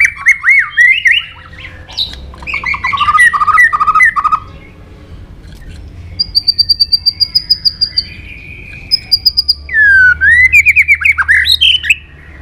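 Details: White-rumped shama fighting song from a voice-training session: looping whistled phrases and trills, then a long run of thin, high repeated ticking notes, a level whistle, and more swooping slurred whistles.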